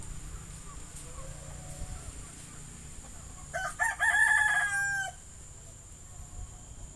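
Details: Captive Javan myna, which can mimic talking, sitting under a shady guava tree and giving one loud, harsh crowing phrase about a second and a half long that ends in a drawn-out steady note, before quiet hum returns.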